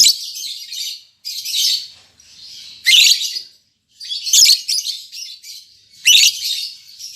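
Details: Albino MM male and lutino MM female lovebirds, just paired and caged, chattering in continuous scratchy high bursts roughly every second or so, with brief pauses.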